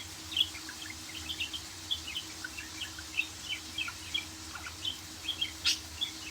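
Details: Budgerigar warbling: a run of short, high chirps and squeaks repeated about twice a second, with a sharp broadband click near the end over a steady low hum.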